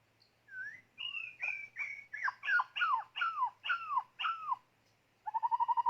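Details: White-rumped shama during decoy trapping, singing a series of clear whistled notes that each slide downward, repeated about eight times, then a fast buzzy pulsed trill.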